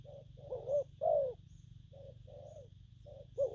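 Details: Spotted dove, a newly wild-caught bird, cooing in the styles locally called gù phóng, gù kèm and gù lăn. Soft, mid-pitched coos come in irregular short groups over a steady low hum.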